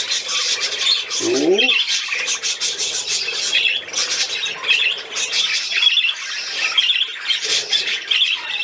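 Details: Budgerigars playing, 13 December 2019: nearly nine seconds of dense twittering and squawking, with a short lower swooping sound early on.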